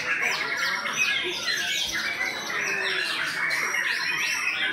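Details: Continuous rich song from a white-rumped shama billed as top class, fast downward-sweeping whistles mixed with scratchy chatter, unbroken and evenly loud from start to finish.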